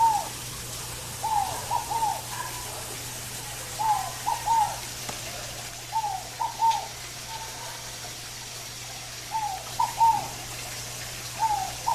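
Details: Scaled dove, locally called fogo-apagou, in a natural environment: soft hooting coos in phrases of two or three notes, repeated roughly every two to three seconds, over a constant low background hum.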